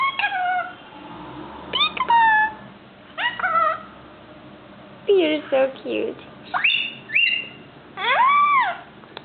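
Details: Young male Indian ringneck parakeet, five months old, kept as a pet and learning to talk, utters a series of rising and falling harmonic whistles and speech-like phrases, roughly every second or two, with quiet gaps between.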